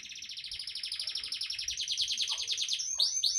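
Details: Canary singing in a fast, steady trill of high chirped notes, about two hundred per minute, rising slightly in pitch, ending with a few sharp bright notes.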